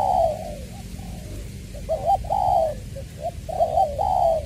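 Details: Spotted dove kept as a decoy at Long Đức, Trà Vinh, singing in 'giọng tiểu' voice on 22 February 2021. Low, smooth coos with short clipped notes between longer rounded ones, against faint low-pitched background noise.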